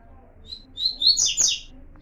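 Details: Warm-up song of a Double-collared seedeater (coleiro), Tui Tui puro style: a thin high note, then whistled notes building into a loud rich warbled burst, heard indoors with low background hum.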